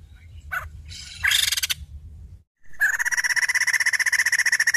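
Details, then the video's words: White-crested laughingthrush, a female, opening with a few scratchy buzzy bursts, then after a short silence launching into a steady rapid stream of harsh, evenly pulsed chattering notes. "Poksay Jambul Betina Edan"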